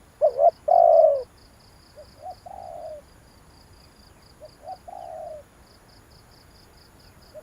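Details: Spotted dove call meant to stir decoy birds: one close phrase of two quick notes and a hoarse falling croon, then two quieter, farther phrases, with a regular high insect chirping throughout.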